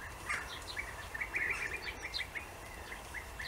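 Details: European bee-eaters in Austria during the breeding season: a steady series of short, rolling, slightly buzzy chirps, several birds calling over one another, notes every fraction of a second, with soft background rumble.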